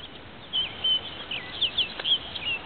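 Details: A male Orchard Oriole sings at twilight at Marais Temps Clair Conservation Area, northern St. Charles County, on 28 May 2010: a quick jumble of high, slurred whistles and short chattery notes over faint hiss.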